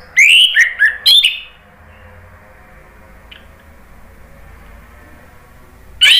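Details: Orange-headed thrush singing in the ngeplong style used to stimulate birds: a quick cluster of rising and falling whistled notes, then about five seconds of near silence before one more bright note.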